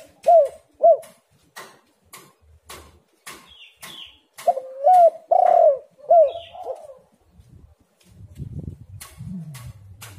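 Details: Spotted dove coos used to lure quiet birds into calling. Short hooked coos repeat about every half second, with sharp clicks between them, then a deeper warbling sound and background rumble at the end.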